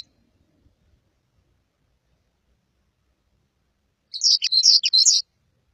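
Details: Red crossbill giving a single quick phrase of sharp, high chirped notes lasting about a second, after several seconds of near silence, with no other sounds.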